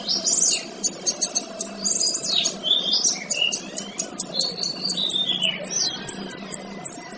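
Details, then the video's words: Male kinoy, recorded to train other birds, pours out a varied high song of rapid chirps, swooping slurred whistles and clipped, scratchy notes in a nearly continuous stream. "Suara Burung Kinoy Jantan"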